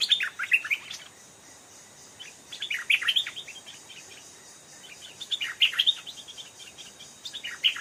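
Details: Stripe-throated bulbul, an aggressive old wild bird answering a caged decoy bird; three separate bursts of lively, bubbling warbled phrases a few seconds apart, with steady faint background hiss.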